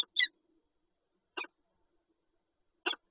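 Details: Peregrine falcons, a pair at the nest with an egg, Lublin, Poland, 19 March 2022: three separate scratchy, raspy notes spaced well apart, with silence between.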